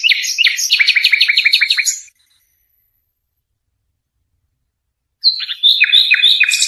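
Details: European goldfinch song recorded for tutoring young birds: fast twittering, liquid chirps repeated about three times a second for two seconds, a long silence, then a shorter burst of chirps and trills.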